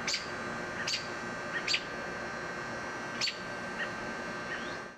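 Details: Agitated American robin adults near their gutter-downspout nest of waiting chicks give short, piercing chip notes, a few per second at first, then sparser, against constant air-conditioner drone.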